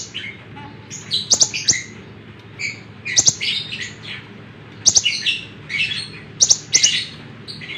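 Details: Lemon-bellied white-eye in energetic song, meant for teaching other songbirds: short bursts of bright, high twittering chirps every second or two, separated by brief pauses over faint background hum.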